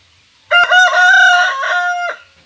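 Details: Bantam chicken, one of a kept pair, crowing once: a loud, strongly harmonic crow of about a second and a half, opening sharply, holding a long level middle, then falling away into silence.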